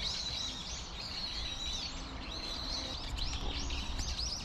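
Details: A group of plump tree sparrows in a persimmon tree chirps loudly, repeated curved notes in quick bursts, with steady low background noise.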